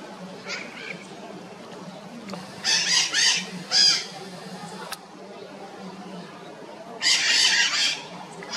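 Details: Red-shouldered macaws give harsh, raspy screeches in short bursts, a cluster around three to four seconds and another near seven, over a low steady background hum.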